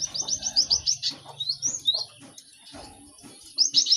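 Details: Cinereous tit song played to teach birds quickly: a fast series of bright, high chevron notes, then a few spaced whistled slurs, a quiet pause, and a renewed quick trill at the end.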